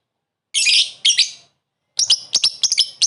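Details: Lovebird calling a rival: two harsh, raspy screeches, then a jumble of quick high chattering chirps.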